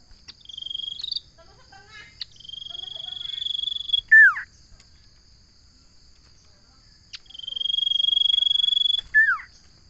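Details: Common iora (sirtu or cipo) repeating its phrase twice: a sustained high trill building in loudness for about two seconds, closed each time by a loud, sharply falling whistle.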